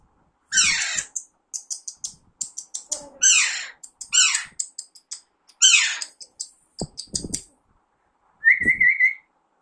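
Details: Alexandrine parakeet, described as a baby parrot, giving harsh, raspy squawks that sweep downward, in quick bursts of several calls, then ending with a clear, level whistled note. No other sounds stand out.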